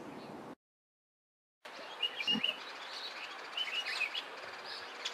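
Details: An African Paradise Flycatcher in a garden in the Eastern Cape, South Africa, gives short, high chirped notes in quick little clusters over steady outdoor hiss, after a brief silent break.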